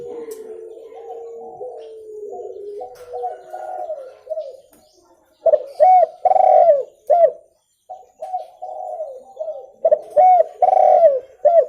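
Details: Spotted dove calling, played to lure birds: soft low cooing at first, then loud clear repeated coos in rhythmic phrases, several notes per second in bursts.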